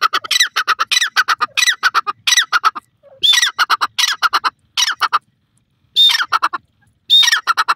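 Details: Teetar, a francolin, gives bursts of grating, squawky notes with sliding whistled accents, grouped in phrases of about a second separated by short silences.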